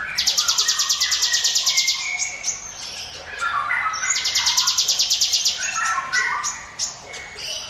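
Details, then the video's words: Prinia, locally ciblek gunung, in "ngiwit wit" lure song: two bursts of fast, regular, high buzzy trilling, each about two seconds, separated and followed by lower whistled phrases and chips. "NGIWIT WIT SUARA CIBLEK GUNUNG"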